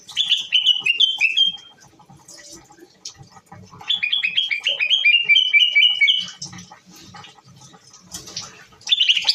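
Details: Moroccan bulbul singing in two bursts of bright, warbled phrases, each a quick run of slurred whistled notes that steps gradually downward, followed by a louder burst at the close; faint low clatter beneath.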